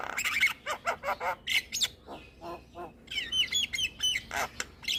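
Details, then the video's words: Javan myna song used to lure and train moulting mynas: a busy run of harsh squawks, chattering notes and clear whistled phrases, rapid and irregular, with several bright rising whistles near the end. "Kicauan Jalak Kebo Full Manggut2 Buat Pancingan Dan Terapi Jalak Mabung"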